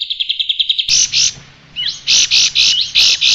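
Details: Striated grassbird singing, recorded as tutor material for cage birds. A quick string of evenly spaced chips is followed by loud, harsh, blocky notes mixed with rising slurred whistles. A low background hum is audible.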